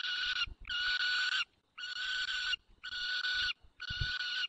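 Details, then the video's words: White stork at its nest in the Barycz Valley, 9 June 2020, 10:54, calling to an adopted young (the nest holds one own and three adopted chicks): harsh, hissing, wheezy bursts under a second long, about once a second, with faint low rumbles between. "Borek woła adoptowanego młodego"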